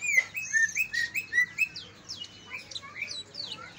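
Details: Kalimantan and Banyuwangi greater green leafbirds singing to provoke sluggish leafbirds into song: a string of sweet looping whistles repeated quickly, followed by scratchy, varied high chirps and slurred notes.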